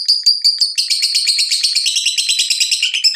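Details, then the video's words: Lovebird ngekek chattering, a stimulus for singing: a few separate shrill chirps, then a dense, fast, grating trill of high notes that keeps going without a break. "Pancingan Jitu Lovebird BUNYI dan Ngekek, menjadikan Lovebird Rajin Bunyi"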